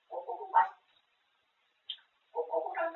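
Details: Talking grey parrot kept as a pet, going on about food: a voiced babbling phrase ending in a sharp rise, a brief squeak, then another run of speech-like chatter.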